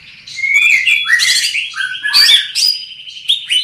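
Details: A large-bodied greater green leafbird pours out a loud, far-carrying, continuous warble of clear whistles, slurred rising notes and brief chattering trills, switching phrases every second or so.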